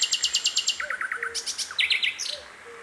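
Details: Sikatan londo flycatcher singing in natural surroundings, a quick string of high rhythmic notes, then a lower fluttering phrase and squeaky twittered bursts, ending quieter, with brief low piping tones beneath.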